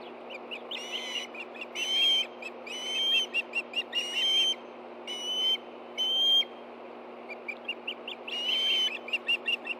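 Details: Ospreys at a nest in Hellgate Canyon, Montana, on 24 August 2013 at 10:46 a.m., stirring as a fish is brought in for two hungry birds: repeated loud, thin whistled cheeps in bursts, with a steady low hum.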